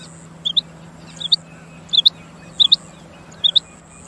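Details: Loud, crisp calls of a rain quail: five high paired notes, each a clipped two-syllable 'whit-whit', spaced under a second apart, over a steady high-pitched buzz and a low background drone.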